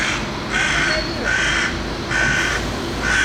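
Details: Crows caw amid attacks on people in central Belgrade, 2021: four harsh, raspy caws at an uneven rate of roughly one per second, over a constant background of urban traffic rumble.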